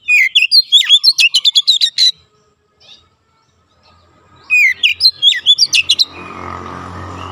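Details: Training song of an oriental magpie-robin for young birds: a long burst of rapid sharp chirps and whistles, near silence, then a second rapid volley, with a low hum at the end.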